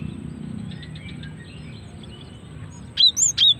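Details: Female cinereous tit calling, used as a lure to trigger male singing: after quiet, a short burst of sharp, high whistled notes, four bright rising-and-falling chips in quick succession at the end, over low background hum.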